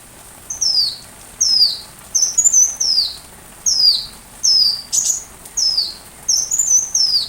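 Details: Sunbird song used as training material for a white-rumped shama: high thin descending whistled notes, each phrase a quick downward slur, repeated about once a second with short pauses, clean background.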